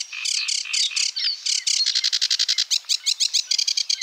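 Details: Sedge warbler singing: a rapid, restless stream of harsh, scratchy chattering notes that breaks into fast dry trills and rattling repeated phrases, varying in tempo throughout, with no other sounds.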